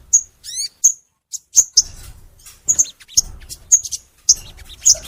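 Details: Crimson sunbird singing in a master recording for encouraging sunbirds to sing: well-spaced, piercing high chips and short slurred notes, with near silence between them.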